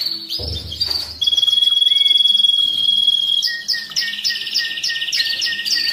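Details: Canary song used for listening training during the moult and rest stage, meant to excite males and prepare females for breeding: a rising sweep, then a fast bright roll held for seconds, shifting into a lower pulsed tour with high accents.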